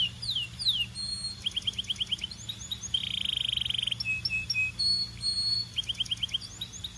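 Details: Belgian canary in full song with mixed phrases: slurred high notes, short quick trills, a dense buzzy roll, clipped chips and further rapid trilled bursts.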